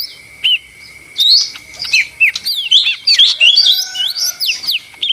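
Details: Lesser green leafbird singing in a lively, noisy style: bright rising and falling whistled notes and quick chirps, loosely spaced at first, then tumbling together, with a faint constant tone beneath.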